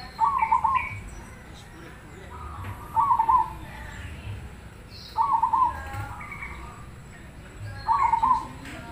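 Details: Zebra dove of the black cemani Krosing type, kept bird, singing to draw others to answer: four cooing, bubbly trilled phrases around one pitch, repeated about every two and a half seconds, with faint background chirps.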